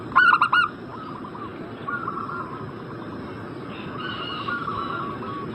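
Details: Zebra dove lure call meant to make a bird in breeding condition answer quickly: one loud burst of four rapid, clipped cooing notes at the start, then soft continuous warbling chatter underneath.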